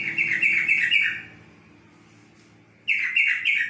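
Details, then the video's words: Yellow-vented bulbul song: a rapid, liquid phrase of bubbling chirps, a silent pause, then a second similar burst of gurgling notes. "Kicauan burung trocok"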